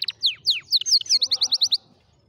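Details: Canary song for training young canaries: a few loud downslurred sweeps followed by a fast series of bright repeated notes, ending abruptly.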